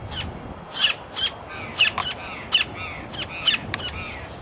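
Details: Campo Flicker in Parque da Cidade, Brasília, Brazil, giving harsh, raspy high notes in short bursts, about ten in four seconds at an uneven pace, over a faint steady hiss.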